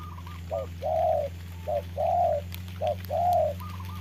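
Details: Spotted dove decoy in a trap, fighting a wild dove during rain; three pairs of coos, a short clipped note followed by a longer swelling one, with faint higher notes at the start and end over steady hum.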